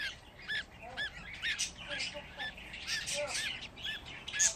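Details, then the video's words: A group of fifteen young budgerigars peeping in thin, arched chirps, irregularly spaced, while a person talks softly nearby. "Muhabbet Kuşu Bebişleri Özel #7 Yavruların 15 'i Biryerde"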